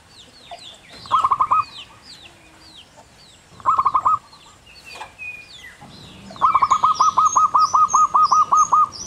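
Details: Zebra dove, called perkutut lokal, singing in the wild in the long clear 'kung' style: three bursts of rapid, hollow coo notes, short runs of four to five, then a long string of about twelve, with other birds whistling high behind.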